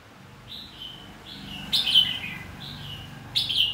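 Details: Fighting song of a red-whiskered bulbul, played to spur singing: soft whistled notes interrupted by two sharp, loud, slurred phrases near 2 and 3.5 seconds, with a low background hum.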